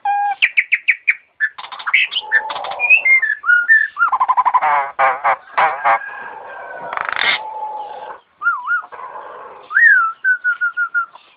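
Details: Starling in full song copying an ambulance siren, pouring out a busy mix of rapid repeated notes, rattling trills, held tones and wavering, rising whistles with hardly a pause.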